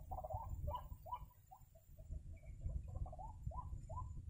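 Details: Croaking calls of a white-breasted waterhen from a trapping outing, short nasal notes repeated about every third of a second, briefly slowing mid-phrase before picking up again, with low rumbling noise behind.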